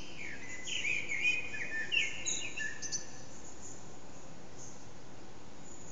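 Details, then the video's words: Hidden Eurasian blackbird singing at dawn, around 4:30am, its voice echoing loudly off a backyard, captured on an HTC Desire: a couple of rich whistled phrases with high chattering tails in the first half, then faint background noise only. "Blackbird's morning song"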